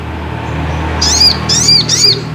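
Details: Ruby-cheeked sunbird (sogok ontong) song used as a lure to excite another bird into singing: three quick, high, bent whistles in close succession over a low hum.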